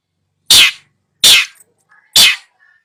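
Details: Long-tailed shrike, used as training audio for a shrike that will not sing, giving three loud, harsh, rasping bursts spaced about eight-tenths of a second apart, with faint short notes between them.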